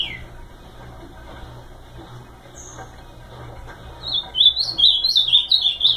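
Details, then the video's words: Ultramarine grosbeak: after a quiet stretch with low hum and a single thin high whistle, a loud burst of quick warbled whistles starts near the end and continues. "Azulão bom de canto"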